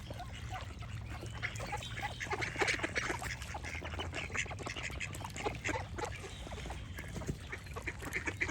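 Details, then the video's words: Ducks quacking in short, coarse bursts that come thick and irregular, loudest in the middle, against a background of singing birds. "Cute Duck Quack Sound Effect with Birds Singing"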